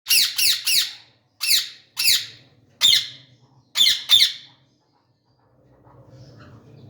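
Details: Indian ringneck parakeet with red beak, yellow wing and long tail, in flight, giving harsh, buzzy squawks in quick bursts of three then pairs, about nine calls over four seconds, followed by quiet low room hum.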